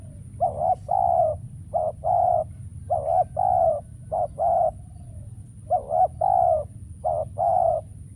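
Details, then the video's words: Decoy spotted dove used to lure wild birds during trapping, none answering. Six repeated coo phrases in the same pattern: a short clipped note, then a longer mellow one. A brief pause falls midway. "Bẫy Chim Cu Gáy , Cu Gáy Bổi Giờ Hiếm Quá Mồi Kêu Vậy Mà Chả Thấy"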